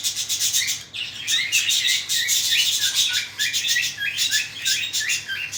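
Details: Cockatiel chicks being fed by the parents, giving continuous hoarse, chattering rasps with short chirpy notes mixed in, loud and nearly unbroken throughout.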